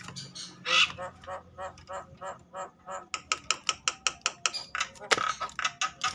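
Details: Agitated Javan myna calling to stimulate other mynas to sing. A quiet, steady series of dry, rasping notes comes about three to four per second, speeding slightly in the second half like a ratchet.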